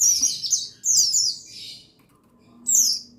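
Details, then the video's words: Male pleci buxtoni white-eye sounds used to rouse birds into song: rapid tumbling run of high, sibilant downslurred notes, a second twittering phrase, a pause, then another bright descending chirp. "Buxtoni Menaikan Emosi Burung Pleci Bahan Agar Pleci Bustomi Gacor Cepat Bunyi"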